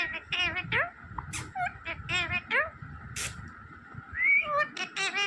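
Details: Smart pet green parrot talking: squeaky, warbling syllables with upward slides, a sharp hiss-like burst, and a final rising squeal, over a steady faint hum.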